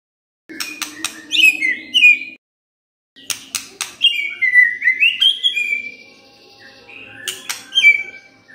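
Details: White-rumped shama lure song to rouse other birds: sharp clicks lead into sweet, sliding whistled phrases, with a short silence between bursts and a faint high tone trailing at the end.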